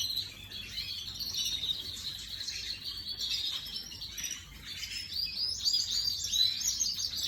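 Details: Imported canary singing, recorded 18 May 2025: a continuous run of rapid high chirps and rolling trills, rising and falling in pitch, steady throughout with a brighter, louder stretch near the end.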